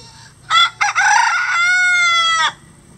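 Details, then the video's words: A rooster on a farm with at least 20 roosters of standard and bantam breeds crows once: a loud, harmonic, two-part cock-a-doodle-doo lasting about two seconds, ending in a long, steady, slightly falling note. "20 Roosters Crowing For 20 Minutes"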